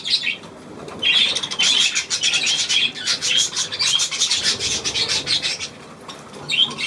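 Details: Budgerigar giving dense, raspy, scratchy chatter in quick bursts, pausing briefly near the start and again toward the end, with a few sharper chirps mixed in.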